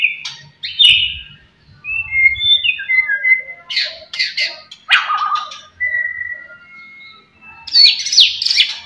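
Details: White-rumped shama (murai batu) song for provoking rivals: mixed whistled notes, short harsh bursts and sharp chips, varied phrases with gaps, ending in a buzzy high rattle.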